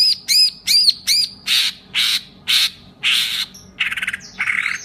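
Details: Green leafbird, kept as a pet songbird, delivering borrowed lovebird phrases: looping whistled notes, then harsh, broad chattering bursts roughly every half second, closing with a quick buzzy trill.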